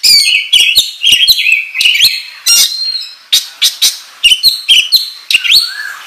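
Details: Loud, fast oriental magpie-robin song in an excited display style, used as a lure to prompt other birds to sing: clear whistled phrases mixed with scratchy chips and rising slurs, repeated in quick bursts with brief pauses.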